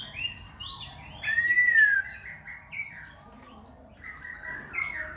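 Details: Khe Sanh laughingthrush in continuous changing song while dancing; a loud clear arched whistle stands out among softer warbled phrases, with a quiet pause before more chatter.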